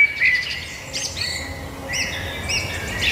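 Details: Birds singing: repeated high chirps and short buzzy, whistled phrases from more than one bird, coming every second or so, over faint steady background noise.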